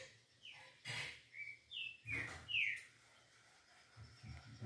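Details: Green-winged saltator giving 'liso' song: a series of short, slurred, downward-gliding whistles over a noisy background with low rumbles and several sharp thumps.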